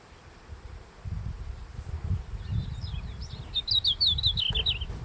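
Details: Red-flanked bluetail singing at sunrise in early July in the Daisetsuzan mountains, first bird to start singing; one short high warbling phrase of quick rising and falling notes near the end, over low rumbling wind noise.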